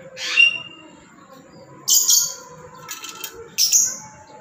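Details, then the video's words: Tame black-capped lory giving loud, harsh screeches in three bursts about every 1.7 seconds, each a broad rasping squawk with a shrill upper edge, over a faint steady background hum. "Lantangnya suara burung Nuri kepala Hitam"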